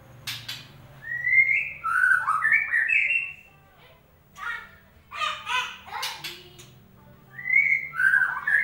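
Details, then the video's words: White-rumped shama song used as a lure to get a bird that has stopped singing to sing again: rich whistled and warbled phrases in bursts, with a short gap in the middle and a faint low hum underneath. "pancingan burung murai batu macet bunyi"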